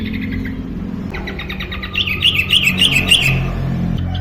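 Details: Yellow-vented bulbul singing actively: after a quieter start, a quick, rhythmic series of sharp, warbling chirps bursts out for about a second and a half, set against constant low droning background sound.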